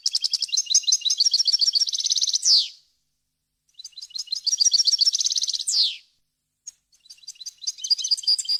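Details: Goldfinch singing a wild-style varied song, prepared so breeders can teach chicks and goldfinch hybrids: two long phrases of rapid rattling twitters, each ending in a falling buzzy note, then a softer third phrase begins.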